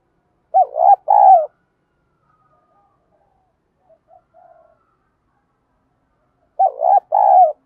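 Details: Spotted dove in the 'giọng thổ pha đồng' style, a call for training decoy doves: a hoarse two-part coo, a pause with faint soft notes, then the same coo repeated about six seconds later.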